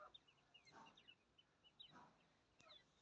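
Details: Francolin chicks at play give thin, high peeps in quick, scattered runs, with soft rustling and scuffling thumps between them.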